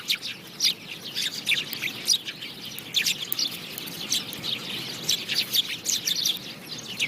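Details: Chirping house sparrows, a busy overlapping chorus of sharp high chirps and quick slurred notes with a low background hiss.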